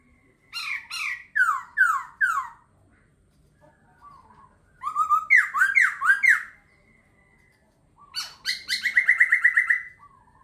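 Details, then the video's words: Laughingthrush singing in three loud bursts of rich, descending whistled and slurred notes repeated in quick series, the last a rapid trilling run of even notes; quiet low background otherwise. "Khướu hót hay."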